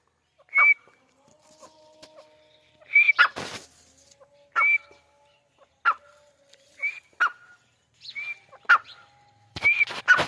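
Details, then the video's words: Grey francolin in its natural habitat in Pakistan: sharp, high whistled notes given singly at irregular gaps of one to two seconds, mixed with short clicking sounds and a few soft lower tones. "Dakhni Teetar | Teetar Ki Awaz | Teetar Sound | Teetar Voice"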